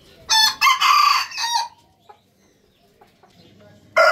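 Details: Rooster's morning crow, loud and hoarse, broken into three segments with a drawn middle note, followed by soft clucks and the start of another crow.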